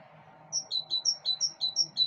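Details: Balcony bird song: a steady string of high, clear whistled notes alternating between two pitches, roughly five per second, with a quiet background hum.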